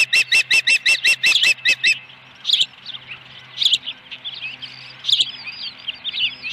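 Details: Osprey at a nest at Dunrovin Ranch with a fish, live camera, 26 May 2020, late afternoon: a quick run of about eight sharp, high chirps over two seconds, then scattered thinner slurred whistles with pauses between.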